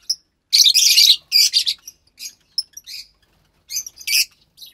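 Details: Two lovebird chicks recorded March 3, 2021, offspring of white pastel violet and pastel mauve parents. A loud, dense, grating squawk is followed by softer scattered chirps, then a final pair of harsh raspy calls.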